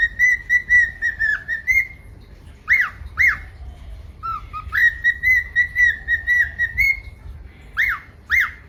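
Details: Pet cockatiels giving whistled calls near two kilohertz, some long level notes and some short rising-falling chirps, repeated in bursts with brief gaps, over a low background hum.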